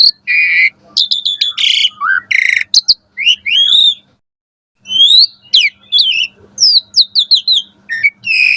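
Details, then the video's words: Asian pied starling morning song for training caged birds: buzzy harsh phrases, fast clicking trills and looping whistled notes, broken by a short silence before the singing resumes. "Pancingan Jalak Suren Gacor Pagi Hari Ampuh Buat Masteran Burung Jalak Agar Gacor Full Isian Mewah"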